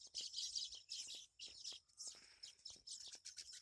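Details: Baya weavers at a colony of over fifty nests in one tree during the monsoon nesting season; continuous high, buzzy chattering in bursts from many birds, pausing briefly between phrases.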